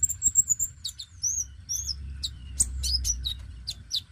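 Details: Oriental magpie-robin, dacok type, singing steadily as a lure for young birds: a long high whistled trill opens, followed by looping slurred whistles and clustered sharp clicks over a constant low drone.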